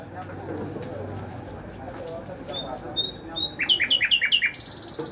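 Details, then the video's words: Nightingale song building from quiet start: scattered high whistles, then a run of rhythmic repeated notes ending in a fast high trill. "Nightingale bird Singing|ہزار داستان بلبل|عندلیب بلبل"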